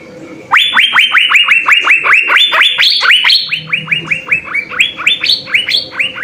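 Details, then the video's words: Cucak biru, the Asian fairy-bluebird, singing a lively 'gacor full isian' song used as masteran: a fast run of about two loud whistled notes a second, each rising sharply then levelling, with some notes stepping higher. "suara 3 CUCAK BIRU GACOR full isian SI BURUNG SURGA"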